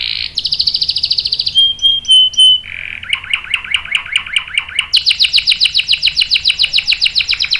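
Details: Canary in full song with long rolling trills, meant to prompt other canaries and tutor young birds: fast buzzy high trills, a steady whistled note, then lower rolling phrases and a bright rapid trill repeated many times per second.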